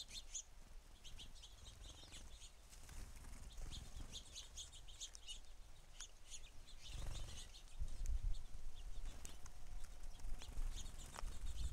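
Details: Lots of house sparrows at a feeder chirp in quick irregular series, sharp high notes overlapping, growing busier toward the end, over a low steady rumble.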